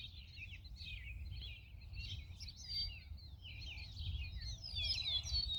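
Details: Purple martins at a lakeside martin house chatter in a steady stream of gurgling, rich warbles and croaks, several birds at once, over a low rumble of wind or distant traffic.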